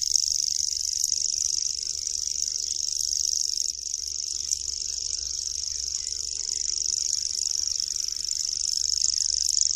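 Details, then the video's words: Common grasshopper warbler (Locustella naevia), a small migratory bird, delivering an unbroken, very high, dry mechanical reel that holds steady for the whole stretch, with a few brief sharp ticks on top and a low rumble beneath. "Świerszczak. Dźwięki i odgłosy jakie wydaje Świerszczak. Jak robi Świerszczak?"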